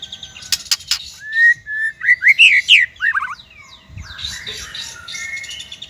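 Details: Singing white-rumped shama, recorded to train young birds and birds that stopped singing: a few sharp clicks, then sweet level and upslurred whistles running into harsher, buzzy notes that fade into softer chatter.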